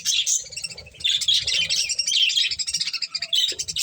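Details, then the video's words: Pet budgies at their corn chirp loudly in a fast, continuous warble of bright, clicky notes, several birds overlapping throughout. "Cute Budgies Enjoying Eating Corn | Love Birds Chirping Sounds"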